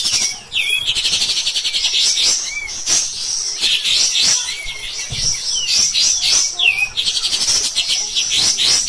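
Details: Caged pied triller on a training recording for other songbirds, delivering a relentless, coarse song: continuous high rattling chatter broken by looping slurred whistles, several sharp downward notes in the second half.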